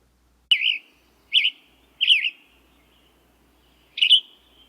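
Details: Western Tanager song, playback: four burry, hoarse whistled phrases, each a quick wavering up-and-down slur, spaced about a second apart with a pause before the last; faint low hum beneath.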